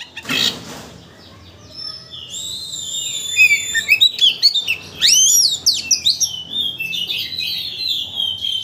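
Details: Oriental magpie-robin song as a lure to make another bird sing its whole repertoire; after a short noise burst, a long thin whistle, then lively swooping whistles and dense chattering phrases.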